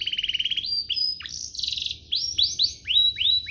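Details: Canary singing a master song meant for training young birds and stimulating song. A quick trill gives way to looping upward-sweeping whistles, repeated in slurred, rising phrases, with a faint low background hum.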